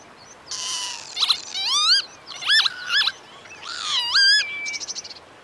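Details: Northern lapwing, a wader of open grassland, farmland and wetlands, giving a series of wheezy, slurred calls that sweep upward and then fall, each rich in harmonics, separated by short gaps, with a brief thin whistle near the end.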